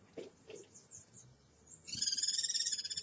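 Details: Guira cuckoo filmed by a live camera in Brazil on the afternoon of 20 August 2011: faint knocks and low noises first, then a loud, rapid, harsh rattle of evenly pulsed high notes to the end.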